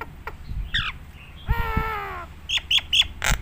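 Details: Nias hill myna song recorded for tutoring other mynas: short chattering notes, then a long nasal harmonic call, followed by quick whistled clicks, over low background rumble.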